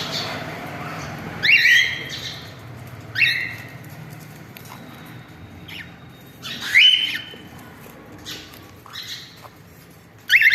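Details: Family of pet cockatiels giving scattered harsh squawking calls, short rasping bursts a few seconds apart with quiet gaps between, over a low background hum.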